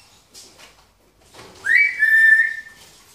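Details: A 13-year-old grey parrot, a feather plucker living at a shop, gives one clear whistle, rising quickly then held steady for about a second, after a few soft clicks and rustles.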